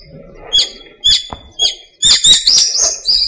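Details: Birdsong at dawn in a small park during breeding season: spaced chirps about every half second, then a dense burst of high whistled and buzzy notes.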